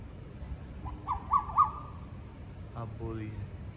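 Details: Two Asian koels sitting close together on one tree, calling to each other: a held mid-pitched note with three quick accents, then a short run of rising, ringing notes, over low background rumble.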